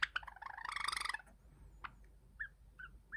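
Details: Pet cream Java sparrow practising its song: a rapid stuttering series of bubbly, clicking notes building for about a second, then a pause and scattered short chirps, with low background hum.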